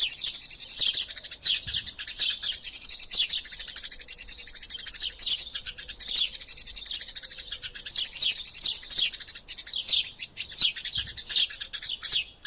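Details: Eurasian tree sparrows in a fight, a master-sound recording for magpie robins: long, continuous, very dense shrill chirping with frequent falling notes and almost no pauses.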